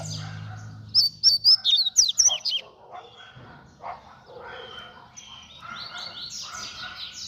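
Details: Free-flying double-collared seedeater giving a fast song: a quick run of about seven sharp, high, slurred whistles in under two seconds. Scattered softer chirps and a low hum follow.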